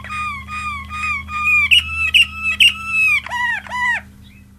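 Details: Malinois Waterslager canary delivering varied song phrases: repeated flat whistled notes, then rising-and-falling slurred notes, and finally two arched, downward-bending whistles, with a steady low hum underneath.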